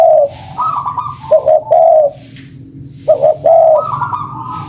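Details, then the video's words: Spotted dove cooing played as a lure, soft low hooting in grouped phrases of two or three notes, pausing roughly a second between bursts, with a faint higher drawn-out tone overlapping. "SUARA PANCINGAN BURUNG TEKUKUR"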